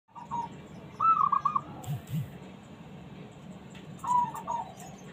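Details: Small zebra dove with a fighter's temperament, calling to provoke reluctant doves into answering: two trilled, bubbling coo phrases, one early and one near the end, with faint low thumps and background noise between.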